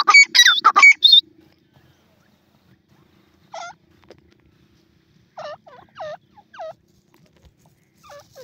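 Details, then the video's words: Pheasant sound with chicks in a forest: a short burst of loud squawking notes, then silence and soft, downslurred chick peeps, single and in small clusters. "Pheasant chicks dancing to the sound of the pheasant"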